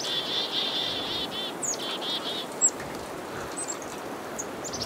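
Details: Black-capped chickadees mobbing a northern pygmy-owl give harsh, buzzy dee notes in a rapid run, then thin high chips, in a steady hiss of background noise.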